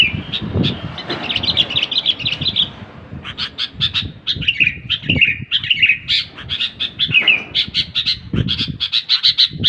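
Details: Sooty-headed bulbul chattering in a dense series of chirps and slurred whistles, speeding up in the second half, with scattered low knocks and rustles.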